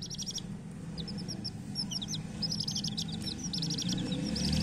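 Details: Busy chirping of coloured hen chicks, rapid high peeps and short upward or downward notes almost nonstop, over a low hum that grows louder toward the end.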